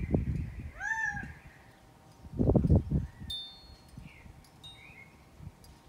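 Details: Gambel's quail calling while walking in Scottsdale, Arizona: one arched, nasal, meow-like note, amid low rumbling thuds, a ringing chime-like tone and faint chirps from other birds.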